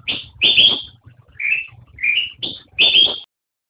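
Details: Black-crested bulbul (kutilang emas) song: two strong high notes, a pair of slurred rising whistles, then two more bright high notes, ending in silence.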